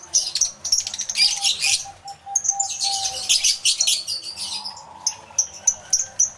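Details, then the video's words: Many lovebirds in an aviary, yellow-collared among them, recorded live with two external microphones: dense, shrill chirping chatter in overlapping bursts, with a faint steady tone underneath. "Lovebird Sounds Aviary Series V1"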